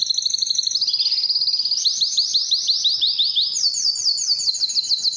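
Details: Belgian canary song used as a training lure and to stir females for breeding: high rapid trill, slower sweeping notes, then a higher quick roll of repeated syllables.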